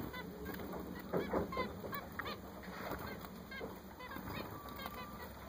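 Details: Newly acquired zebra finches make a burst of honking nasal calls around the first seconds, then sparser single beeps. A faint continuous electrical whine stays in the background.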